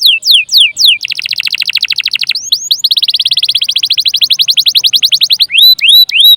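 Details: Canary lure song for prompting other birds: a few looping whistles, then long, rapid, evenly pulsed chip trills in two runs, closing with rising whistled notes.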